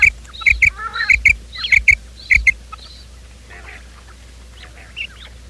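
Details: Quail calling at morning, recorded for luring quail into traps: a crisp run of short high chirps delivered in pairs for about two and a half seconds, then near silence with a few faint distant notes.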